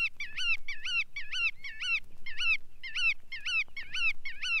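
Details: Bar-tailed Godwit giving a quick series of nasal, twanging notes, each rising then dipping, roughly two to three per second, with one short break near the middle, over a quiet low hum.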